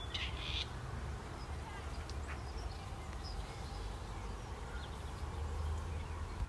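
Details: A grey partridge calling in the evening in a field in North West England gives one harsh, grating, rasping call, likened to an old camera, then a few faint scratchy notes over a steady low rumble of wind.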